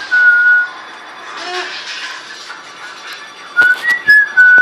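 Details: Female pet parrot whistling indoors in her first whistling attempts: a short steady whistled tone at the start, a quiet gap, then a quick run of four brief whistled notes stepping up and down in pitch.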